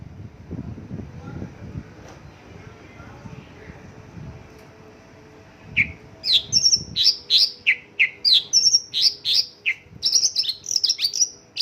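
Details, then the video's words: Mongolian lark singing a song filled with local birds' phrases (isian lokalan): after about six seconds of low background rumble, a rapid run of sharp, high, swooping chirps and whistles bursts in and continues to the end. "Mongolian lark isian lokalan"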